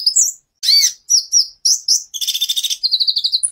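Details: Kept sunbird (kolibri ninja) in full, varied song, recorded as a master for training other songbirds; high sweet notes and slurred phrases followed by fast buzzy trills and a rapid run of repeated chips.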